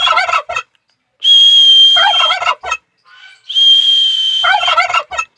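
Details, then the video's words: Turkey gobbling in rapid, throaty, bubbling bursts that alternate with a loud, steady, high whistle held for over a second, the gobbles following each whistle. "turkey bird किस तरह आवाज निकालते हैं बोलते"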